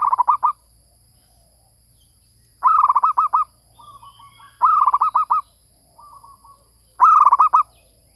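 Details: Lure call of a zebra dove: quick bursts of about seven clipped, bubbling coos come roughly every two seconds. Fainter, lower-volume cooing phrases fill the gaps, and there is little other noise.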